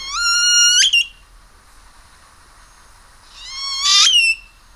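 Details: Great-tailed Grackle singing two ringing whistles spaced about three seconds apart, each holding steady before ending in a sharp upward sweep.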